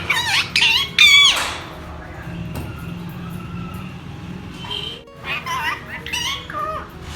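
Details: An angry talking parrot gives harsh, loud screeches: raspy, rising and falling squawks in two bursts at the start, then quieter calls and more squawks near the end, over a low background hum.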